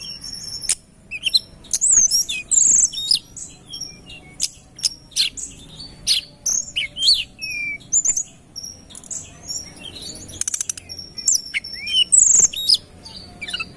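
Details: Sunda robin song used as a bird-catching lure, a vigorous, busy stream of high, thin whistles and sharp rising and falling notes, closely packed with short gaps.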